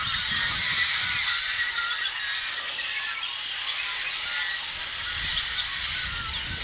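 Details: Dense chorus of yellow-headed blackbirds on 19 April 2016: overlapping harsh, squealing and chattering calls, high-pitched and continuous, with a faint low rumble beneath.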